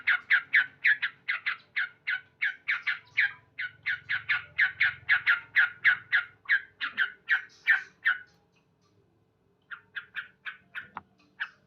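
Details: Male sooty-headed bulbul singing loudly in the morning: a fast, lively chain of clipped repeated notes for eight seconds, then a pause and a few scattered notes.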